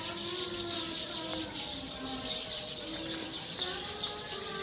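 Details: Roosting flock of Eurasian tree sparrows in a tree, a constant bright chirping chorus layered over drawn-out lower tonal notes that rise and fall.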